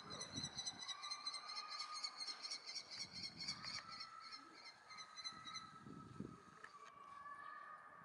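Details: Several Common kestrel chicks waiting since morning for a parent to bring food, 2 June 2018: a quick series of shrill, harsh, repeated cries over low rumbling background noise and a steady faint tone.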